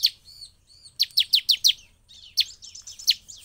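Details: Ciblek, the bar-winged prinia, in full song that excites other birds to sing. Sharp high notes come in a quick run of five, followed by scattered single notes and soft chattering.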